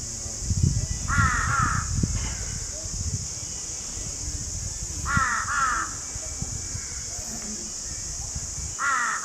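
Crows give harsh, hoarse caws in paired bursts about every four seconds, over a steady high hiss and low rumbling background noise.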